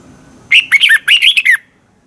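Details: Red-whiskered bulbul singing in Thailand: a single quick phrase of about six warbled, slurred whistles, rising and falling, packed into one second against a quiet background.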